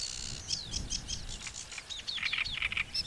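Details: Great reed warbler singing: a fast run of high, chirping and sliding notes, with some short downslurred whistles and a few repeated clipped syllables near the end. A low rumble of background noise underneath.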